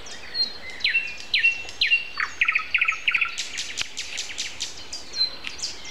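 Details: Nightingale on an April 29 morning, singing earlier than its usual May start; a few slurred downward whistles followed by a quick burst of pulsed repeated notes, amid busy background birdsong.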